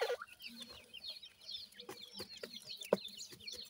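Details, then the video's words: Chicks of dakhni grey francolin kept in captivity give fairly quiet high descending peeps, many birds chirping together, with occasional knocks and one sharp tap near the end. "dakhni teeter chicks,titar chicks"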